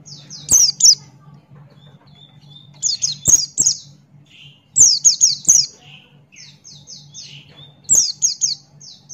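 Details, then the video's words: Captive Buxton's white-eye in full song sings bursts of very high, rapid chirps and twitters every two to three seconds, with sharp clicks and a low steady hum behind. "Pleci Buxtoni Gacor Ngalas Buka Paruh"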